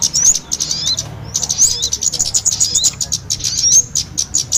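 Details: Kemade and sogon calls combined to lure small birds for trapping; high, sharp chirping and rising whistles in dense bursts, a near silence after one second, then continuous twittering to the end.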